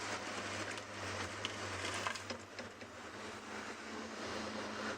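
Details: Steady vehicle engine rumble with broadband mechanical noise and faint clicks; no animal calls stand out.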